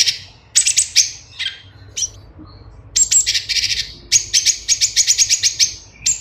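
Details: Cucak cungkok bulbul, song used as a model for caged birds: scattered sharp high notes and a slurred whistle, then a long, quickly repeated series of bright chirps, about five per second.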